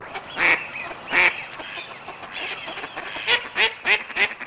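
House sparrow giving harsh, bright chirps: two spaced calls, then a quicker run of four, at an uneven pace over a soft background hiss.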